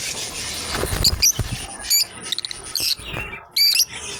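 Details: A pair of lovebirds playing together: short, high, squeaky chirps come in scattered bursts, two or three close together, over a background of soft rustling and scratching.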